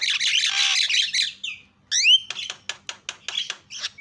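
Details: Starling used to provoke other birds into calling: a long harsh rasping screech, a pause, rising whistled slurs, then a quick sequence of sharp clicks with a final thin whistle.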